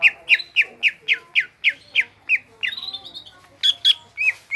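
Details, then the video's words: Greater green leafbird singing vigorously: loud, sharply descending chirps repeated about every quarter second, breaking into a higher fluttering warble and a few final strong notes. "BURUNG CUCAK IJO GROPYOKAN GACOR"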